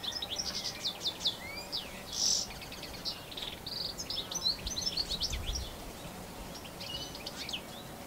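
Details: European goldfinch in New Zealand, filmed with a Canon SX60HS; a rapid, twittering canary-like song of bright, high chirps and short trills, with one louder burst midway and low rumbling background noise.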